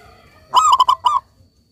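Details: Local zebra dove, kept as a song bird, giving one cooing phrase: a loud opening note, three quick beaded notes, then a drawn-out final coo.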